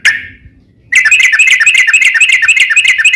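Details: Yellow-vented bulbul lure song for prompting other bulbuls: one fading note, a short pause, then a rapid, even chatter of bright bubbly notes, several per second, to the end.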